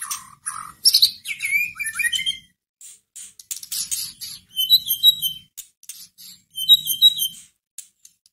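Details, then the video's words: White-rumped shama song meant to stir a caged bird into singing, opening with clear whistles and descending slurs, followed by dry clicks and short bursts of high, twittering trills. "Pancingan masteran pendongkrak emosi murai batu loyo langsung nyahut Gacor"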